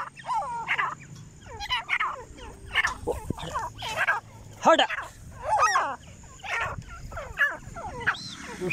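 A female grey francolin gives harsh, ringing calls in quick repeated bursts, roughly one each second.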